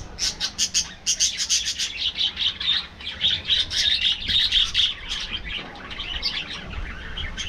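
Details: Budgerigars in an aviary during their afternoon feeding; a rhythmic series of sharp high chirps several per second, followed by warbling, continuous chatter from the flock, with low rumble underneath.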